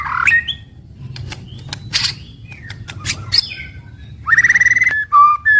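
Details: White-rumped shama daily song, morning to evening: loud slurred whistles and short sharp notes, a rapid buzzy trill near the end, then a clear whistled phrase, over a faint low background hum.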